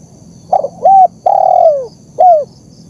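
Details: One full phrase from a spotted dove, kept as a lure and training recording: a quick stutter, a flat mellow coo, a longer coo that slides lower, then a short falling final note.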